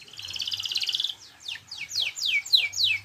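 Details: Canary song opening with a rapid buzzy trill, then a string of quick downward-slurred whistled notes repeated about three times a second; faint low hum in the background.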